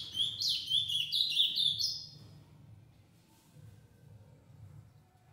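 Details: A captive ultramarine grosbeak, from a pair shown with their six-month-old offspring, gives a quick two-second run of sweet, warbled whistles, then quiet with a low background hum.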